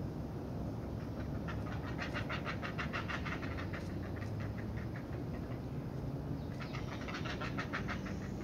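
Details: Heron chicks being fed by a parent at the nest, giving rapid, harsh chattering begging calls repeated in fast pulses, with steady low rumbling background noise.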